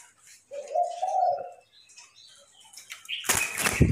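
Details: A captive decoy Spotted Dove cooing in the morning among many kept doves gives one low, hollow, slightly rising coo lasting about a second, followed by a brief burst of rustling noise.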